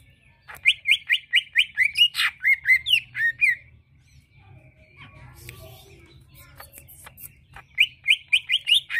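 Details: Greater green leafbird song used to lure another bird into answering: a fast run of rising whistled notes, about two per second, then a quieter pause and another quick burst of rising whistles.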